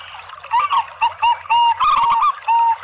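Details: Zebra doves, local and Bangkok birds together, cooing as a lure to set other zebra doves singing. Short clipped coos alternate with a longer rippling trilled phrase, then a clear drawn-out final note, over faint hiss.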